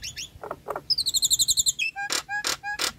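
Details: Nias hill myna lure song for stressed, moulting or silent birds: clipped notes, then a rapid string of ringing high whistles, then three loud sharp explosive calls.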